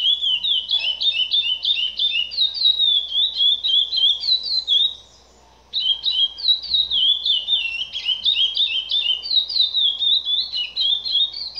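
A chestnut-bellied seed finch sings a fast, continuous run of clear, warbled whistles, rising and falling phrases with a brief pause midway.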